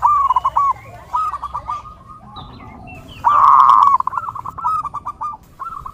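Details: Perkutut, the zebra dove, singing for bird training and luring: rapid rolling coo phrases, one loud dense burst midway, then further quick stuttered notes.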